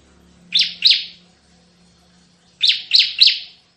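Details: 'Tembakan' style song of a Bar-winged prinia: a pair of sharp buzzy notes, a pause, then three more. A steady low electrical hum runs beneath.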